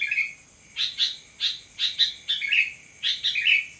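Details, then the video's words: Night-time sooty-headed bulbul song at midnight: paired sharp chirps spaced about half a second apart, with two short warbled downslurs mixed in, and a faint continuous high hum in the background. "burung kutilang gacor di tengah malam"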